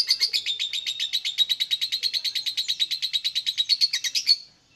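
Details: Lovebird singing, used to provoke other lovebirds into song: a fast, steady run of about thirty shrill chattering notes, evenly spaced, running for over four seconds before stopping abruptly.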